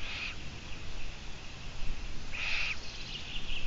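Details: Long-eared owl in a live broadcast of 17 June 2017 at 12:14: a brief hoarse squeak, then a louder drawn-out rasping squeak about two seconds later, against constant hiss and rumble.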